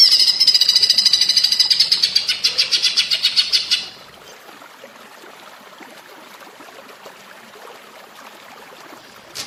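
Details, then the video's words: Greater green leafbird in a training recording sung in the style of a common flameback woodpecker: a loud, high, rattling run of rapid notes, about three or four per second, fading out after four seconds into quiet background hiss. "Masteran cucak ijo rasa platuk bawang"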